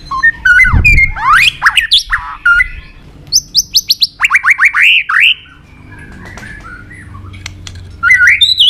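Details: White-rumped shama in fighting song (hót đấu), played to train and provoke birds: loud, varied whistled phrases, quick runs of rising sweeps, high thin notes and short trills, a brief quieter gap, then song resumes.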